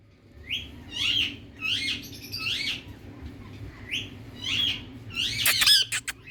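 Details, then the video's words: Indian ringneck parrot in India uttering a run of softer, rising chattering calls in steady succession, ending in a louder harsh burst, over a noisy background. "Beautiful Indian Ringneck Parrot Kaku Calling Sounds"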